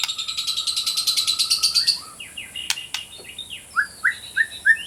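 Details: White-rumped shama song for training and for coaxing silent birds into voice: a fast, even buzzy trill lasting two seconds, then sharp clicks and a series of descending, whistled chips.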